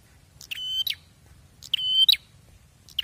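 A prinia sings loud, high phrases, each a short rising note into a long, steady whistle ending in a sharp flourish, repeated about every 1.3 seconds over a low rumble.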